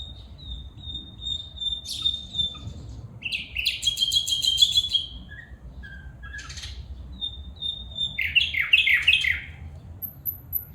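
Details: Calling female bulbul: a long thin whistle, a harsh rattling burst, scattered sharp chips, then a cluster of quick descending chirps near the end, with a faint low hum throughout.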